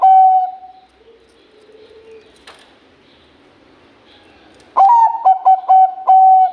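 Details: Bangkok-type zebra dove, a champion singer, utters one drawn-out coo, falls silent, then bursts into a rapid run of staccato, evenly pitched coos.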